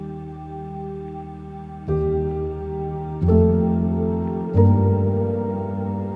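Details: Slow, sustained keyboard music with three soft chord changes, and no animal sound.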